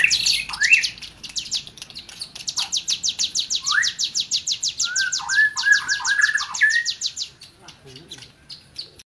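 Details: Tame hill prinia singing vigorously: a fast, even series of high buzzy notes repeated several times a second through most of the clip, broken by a few lower, slurred whistled phrases, then trailing off into softer chirps near the end.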